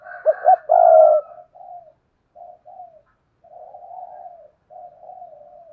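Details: Decoy spotted dove cooing to attract wild doves, one loud phrase of two quick notes and a long coo, then a string of softer, drawn-out murmured coos.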